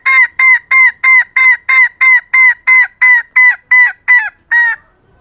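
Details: Calling female green junglefowl used to attract males gives a steady run of about fourteen harsh, nasal, evenly spaced honks, roughly three each second, before stopping abruptly and leaving silence.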